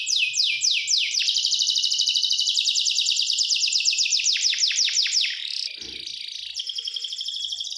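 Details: A singing canary delivers a run of quick descending whistles that turn into a long, rapid, rolling trill. A brief low thump breaks the flow before the bird resumes with a softer, steady, high warble.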